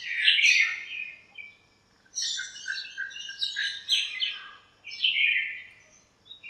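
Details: Several birds in a backyard lemon tree on a cool sunny morning, chirping and squabbling; quick high twitters in clustered bursts, a loud opening chirp then busy overlapping chatter after a short gap, faint background hum.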